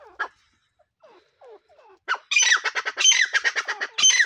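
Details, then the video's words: A pair of grey francolins: a few soft, falling notes, then a loud, harsh burst of rapid squawking notes, about six per second, overlapping as both birds call. "teetar pair voice | Partridge birds call"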